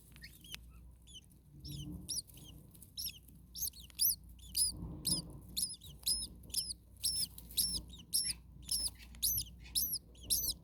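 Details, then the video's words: Common starling nestlings in an attic nest on a very hot day, parent nearby: high, curling squeaks start faintly, then grow loud and steady at about two per second, with low rustling underneath. "Starling baby birds very hot. Day 2 Nest 2. Mama bird was close by making some noises."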